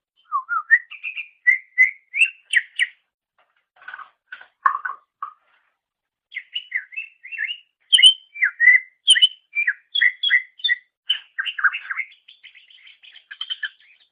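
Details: Greater green leafbird song as a master for training songbirds: rising whistled notes, a lower stuttering section, a pause, then a long lively sequence of varied chirps and whistles tailing off into soft twitters.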